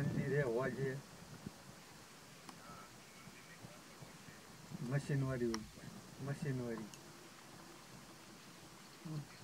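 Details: Greylag geese at Little Rann of Kutch in Gujarat, India, recorded in January 2020: a loud wavering honk opens, then two more nasal honks follow several seconds later, with a faint short call near the end.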